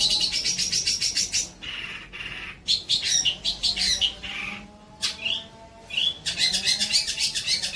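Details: Long-tailed shrike song used as training material for other songbirds, trotol style: rapid, high, scratchy chattering bursts broken by short pauses, with a few sweeter rising and falling notes between phrases.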